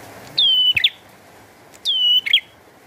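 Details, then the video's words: Lively bar-winged prinia singing in the rain: two drawn-out, high whistles, each falling slightly and finishing in a sharp twisting chirp, set against a quiet, steady patter. "Burung Prenjak Gacor"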